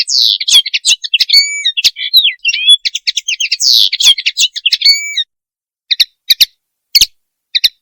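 Common linnet giving a fast, twittering run of high chirps, trills and short whistles for about five seconds, then a few scattered chirps.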